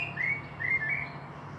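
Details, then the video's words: Common blackbird at Meschede, Germany, 18 May 2021, with fieldfares around: a brief, clear whistled phrase of two or three slurred flute-like notes over a low hum. "Sehr schöne singende Amsel"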